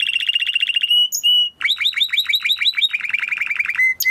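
A Timbrado canary sings fast, high rolling tours of repeated notes, about three per second, shifting between trills, with brief pure metallic whistles between them.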